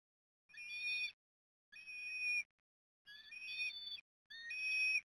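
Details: Eastern osprey nestlings at Port Lincoln, Australia, begging during a feeding on 30 October 2021: four drawn-out, thin squealing whistles, each rising slightly at the start and lasting under a second, spaced about a second apart.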